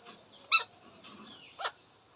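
An Indian ringneck parakeet gives two short, harsh, high-pitched speech-like syllables about a second apart, with faint murmuring between them.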